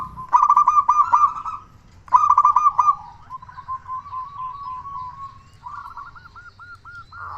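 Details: Zebra dove, a local bird, calling as a lure to encourage others to sing: two loud bursts of fast, stuttering coos, a long level trill, then a row of looping coo notes.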